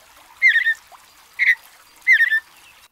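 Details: Mountain bluebird song of three short, slurred, slightly husky phrases, the first and last longer and broken into quick pulses, with a softer single note between them against a quiet hiss.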